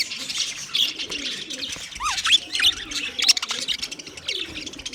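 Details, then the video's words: Budgerigars chatter in a dense high twitter, broken by a few clear downward-sliding whistled notes and soft low warbles. Played for a lonely bird. "Budgies chirping sounds for lonely bird"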